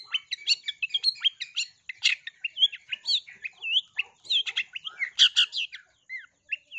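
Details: Song of a long-tailed shrike, played to set other shrikes singing, a busy medley of upslurred whistles, scratchy notes and loud harsh bursts with several brief gaps.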